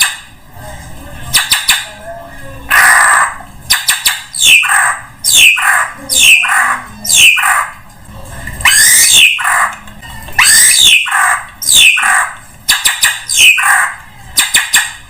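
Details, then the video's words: Drongo sound played to lure all kinds of birds: a loud series of harsh, nasal, squawking notes alternating with quick downward-sweeping chirps, repeated roughly every half second to one second in irregular bursts. "SUARA PIKAT SRIGUNTING UNTUK SEMUA JENIS BURUNG"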